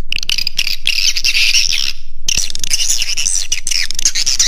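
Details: Swiftlet roosting lure call in the Raja Di Laut style, played to draw birds in to roost: dense, continuous high chirping twitter, briefly broken by a short gap near the middle.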